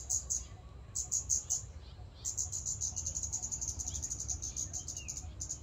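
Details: Scarlet-backed flowerpecker (Dicaeum cruentatum) recorded in a public park gives very high, thin ticking call notes, first in short clusters and then in a fast run, over a low background rumble.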